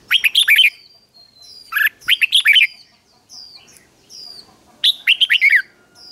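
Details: Red-whiskered bulbul morning training song with three bursts of rapid, rich, warbled whistles, each about a second long, and faint, thin, falling whistles in the pauses.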